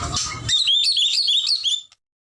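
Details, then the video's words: White-rumped shama singing energetically (gacor): a short warbled phrase of quick high twittering whistles lasting just over a second, then cutting off into silence; a rougher noisy burst before it. "murai batu gacor"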